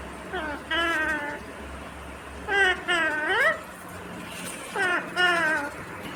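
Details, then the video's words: Green ringneck parrot repeating "mummy papa": three separate two-syllable phrases roughly two seconds apart, each a short note followed by a longer tonal one, the middle phrase sliding upward at its end. "Natural Sound of Talking Ringneck green parrot 🦜||Talking Parrot mummy papa"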